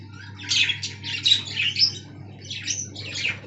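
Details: Budgerigars in an aviary make raspy squawks and chirpy warbles in two loose bursts, high and scratchy, with a steady low hum running underneath.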